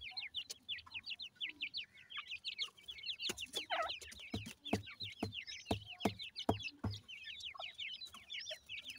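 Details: Chicks of the grey francolin (Pakistani teetar) moving about their habitat give a steady stream of thin, high, downward-sliding cheeps from several birds at once, broken by sharp knocking and tapping sounds in the middle.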